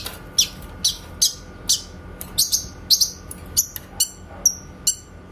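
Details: Grey-cheeked bulbul (cucak kinoy) in a master recording for shama training, sounding repeated crisp high chips roughly every half second, some doubled, ending with quick descending flicks.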